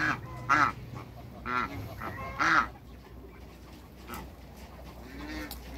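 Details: Backyard African geese, two males and a female, let out three loud nasal honks in the first three seconds, then fainter calls fade against a steady low hum.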